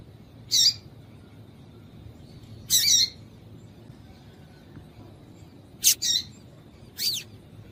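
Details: Calls of a female yellow-bellied seedeater, used by breeders to stir males for singing contests: four short, rasping high chirps at irregular gaps of one to three seconds, the last one sliding, with quiet low rumble between.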